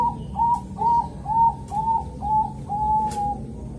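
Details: Morning song of a Bangkok zebra dove, Kediri, East Java, a calm rhythm used to encourage other zebra doves to sing: seven slurred, arching coos at a brisk pace, the last one stretched out, with faint clicks behind.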